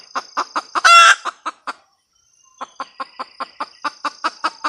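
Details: Female red junglefowl cackling: a fast run of short, clipped clucks, about five per second, broken by one loud harsh squawk. A brief pause follows before the clucking resumes at the same pace, over a faint high insect whine.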